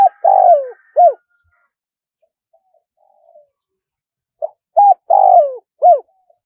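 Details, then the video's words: Spotted dove in the 'one kuk' crowing style. The clip opens on the end of a phrase with a long falling buzzy coo and a short arched note. After a quiet pause of about three seconds, a complete four-note phrase of low mellow coos follows. "เสียงนกเขาใหญ่ ขันสด คารมป่า100 ขัน 1 กุกเพราะๆ"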